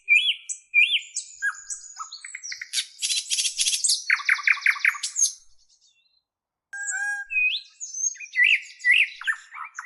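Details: Busy bird chirping with bright whistled slurs, buzzy rattles and repeated short notes, a brief quiet gap, then more twittering and rising chirps.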